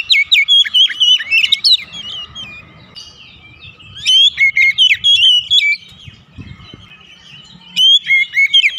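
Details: Magpie-robin lure song for kept birds: three energetic bursts of varied, bright whistled notes, swooping and chattering, with quieter gaps and faint low rumbling between them.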